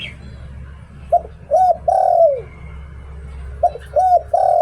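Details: Zebra dove kept as a decoy bird, singing in the Thai "liu tan" style: short mellow coos, a brief note then a longer one, ending in a drawn-out falling coo, the phrase restarting after a pause, over steady low hum.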